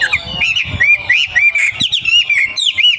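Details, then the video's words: Young wild forest wambi singing a fast string of loud, slurred whistled notes that rise and fall, packed closely with sharp chirps over three seconds. "KICAU WAMBIE MUDA HUTAN"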